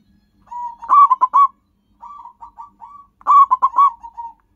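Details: Local zebra dove singing, a call used to lure wild birds: two bursts of quick, stuttering coos near one pitch with rapid rolled notes, separated by a softer run of short coos. No other sounds.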